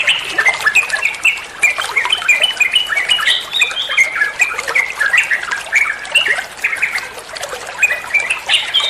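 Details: Rapid, chattering olive-winged bulbul song played to train other songbirds, made of many short whistled notes and quick slurred phrases, bubbling along without a break, with faint rustling noise underneath.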